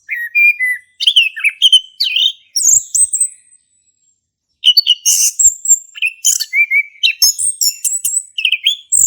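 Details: Male orange-headed thrush ngeplong song used as a prompt for a thrush that has stopped singing; varied whistled phrases and buzzy high notes, broken by a silence of about two seconds mid-way, then resuming busily.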